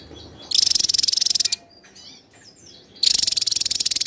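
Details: Javan tesia singing steadily for a contest-style tutor recording: two bursts of a fast, shrill, evenly pulsed trill, each about a second long, separated by soft high twittering.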